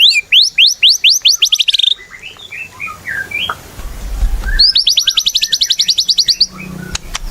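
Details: White-rumped shama in energetic song (gacor), a recording meant to prompt shamas to sing: fast series of high rising notes, soft varied twittering, then a long rapid trill of evenly repeated notes.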